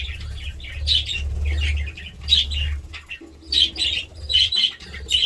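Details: Budgerigars giving scattered bursts of squeaky chirps and short warbles, separated by quieter gaps, over a noticeable low humming background with some fluttering or rustling.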